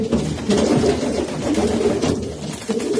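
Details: Racing pigeons give short, deep coos in a quick irregular series, several calls overlapping above a continuous shuffling background.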